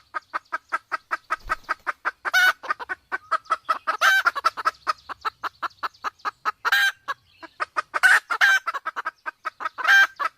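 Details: Sumatran junglefowl pair, male and female, the female in heat, recorded as a hunting lure: rapid, fairly even clucking pulses continue throughout, broken now and then by louder, rougher bursts.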